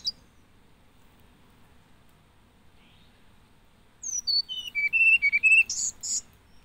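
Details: After about four seconds of near silence, a hill blue flycatcher sings one phrase of clear whistles stepping down in pitch, ending in two buzzy high notes.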